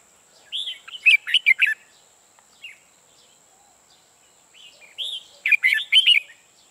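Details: Red-whiskered bulbul kept as a decoy for trapping, singing two similar phrases opening with a rising-falling whistle and ending in rapid loud warbled chirps, about four seconds apart.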